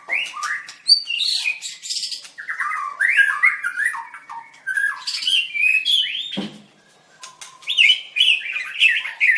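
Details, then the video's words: {'caption': 'White-rumped shama performing at a bird singing contest on 7/25/16, dancing as it sings: busy sequence of varied whistled and buzzy phrases, a brief lull, then a fresh run of rapid rising notes.'} "Birds White-rumped shama dancing and singing like crazy till chirped sorethroat"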